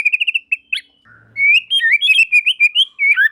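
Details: White-rumped shama, known as murai batu, singing as other shamas join in; a quick run of repeated clear whistled notes, then varied rising and falling whistles and trills.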